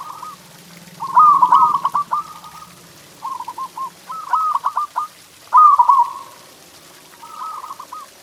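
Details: Training song of the zebra dove to stimulate caged doves: repeated loud stuttering trills, each a cluster of rapid rolling coo notes, with softer phrases in between and a faint low murmur early on.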